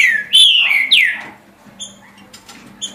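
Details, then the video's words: A green-winged saltator, singing about 17 songs per minute, gives loud, rich whistled phrases that slur downward, followed by a few softer, higher chips; a low steady hum runs underneath. "Trinca Ferro Senhor dos Anéis Passando 17 Cantos por Minuto"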